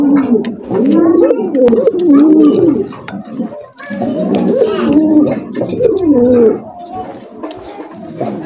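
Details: Pigeons kept on a farm cooing in bursts: throaty bowing coos that rise and fall, grouped into runs of several phrases with short quiet gaps, and scattered clicks.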